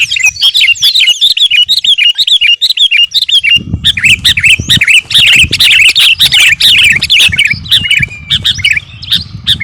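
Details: Kutilang garuda, a sooty-headed bulbul, in full lively song meant for training caged birds: rapid, overlapping chirps and bubbly whistled notes throughout, with a low rumbling background noise entering midway.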